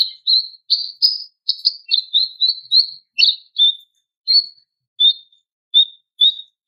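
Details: Female greater green leafbird calling to a male: a steady series of short, high chirped notes, roughly eighty per minute at first, spacing out and thinning toward the end.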